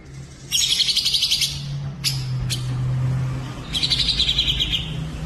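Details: Songbird training recording mixing cucak jenggot, cililin and canary: two rapid buzzy trills of pulsed high notes, each about a second long, separated by sharp single clicks, over a steady low hum.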